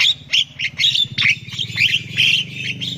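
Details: Baby Javan myna chirping repeatedly during vocal learning; raspy, high squawks in quick succession, each with a brief upward flick, over a low background hum.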